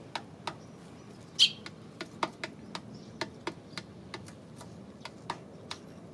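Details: Sparrows recorded on 28 May, giving short sharp chirps repeated irregularly about every quarter to half second, one louder note among them, over a steady background hiss.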